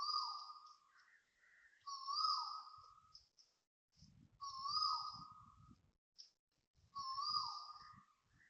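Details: Asian koel at 6:23am on 13 December 2025, Toa Payoh Lorong 8, Singapore, giving loud, clear two-part 'ko-el' whistles with a rising second note, repeated about every two and a half seconds, over a faint low rumble.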